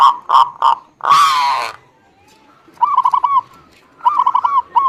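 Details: Zebra dove lure song for prompting a reluctant bird to sing. A few loud cooing notes come first, then a harsh noisy burst and a short silence. Two quick rolling bursts of repeated coo notes follow.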